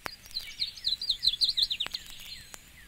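Yellow-throated Warbler singing a quick cascade of about ten sweet, slurred whistles that tumble steadily lower in pitch, with a few faint clicks behind.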